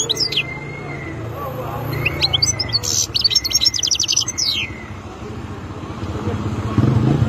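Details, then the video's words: Wild European goldfinch giving bursts of fast, high twittering notes over low rumbling background noise, with faint level whistled tones. "تغريد مقنين خلوي"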